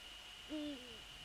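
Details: Eurasian eagle-owl, male on the nest after a prey transfer, February 3, 2014, 18:10. One clear tonal call of about half a second that starts level and falls at the end, over a steady hum.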